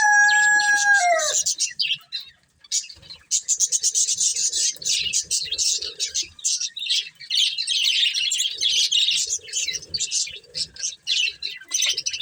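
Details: A breeding pair of budgerigars twitters in rapid, high, rattly bursts for most of the stretch, after a rooster crows briefly at the opening.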